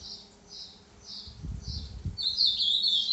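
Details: Green-winged saltator singing in the 'boca mole' song style, recorded on Tuesday 29 December at 10:40; brief high notes repeat about twice a second, then a louder, sustained high twittering phrase, with low rumbling noise midway.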